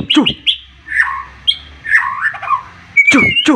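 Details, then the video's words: White-rumped shama, a caged bird singing excitedly with a sharp, full song that prompts rival birds to answer: loud varied whistles, sweeping slurred notes and harsh sharp bursts, with brief pauses between phrases. "MURAI BATU OVER EMOSI DENGAR TEMBAKAN nya bikin lawan nya ikutan emosi dan ikutan GACOR"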